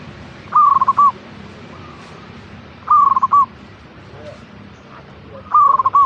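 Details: Caged zebra dove, local perkutut type, its song used to prompt other birds to sing: three cooing phrases at steady intervals of about two and a half seconds, each a fast bubbling roll ending in a separate note.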